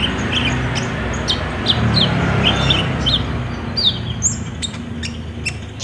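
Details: Olive-backed sunbird of the ninja type in full song, used as a lure to prompt a caged bird to sing, recorded on a phone: high, thin chirps and short sweeping whistles in quick, uneven series over a steady low hum.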